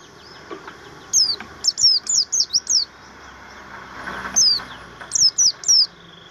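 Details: Kept Javan grey-throated white-eye sings material song: quick high whistled notes in a burst of six, a pause, then a single note and three more.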